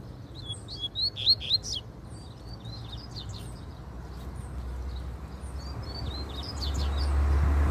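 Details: Double-collared seedeater singing in the wild: quick, high, twittering notes in lively bursts, loudest early on, over a steady low rumble of background noise that grows stronger toward the end.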